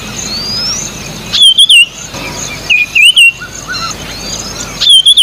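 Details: Marshall's iora, also called white-tailed iora, singing during nesting activity: three loud, bright whistled phrases of quick wavering notes, about one and a half seconds apart, over a steady high insect hum and faint twittering of other birds.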